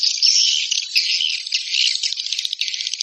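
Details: Steady, shrill swiftlet twittering: a continuous high rattle of fast clicks and chirps with no gaps, loud throughout.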